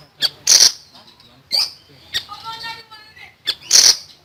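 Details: Common iora in a tutoring recording for songbirds, singing full and loud: sharp broadband chips, a buzzy high note, and a soft series of steady whistled tones, with bursts repeated at irregular intervals.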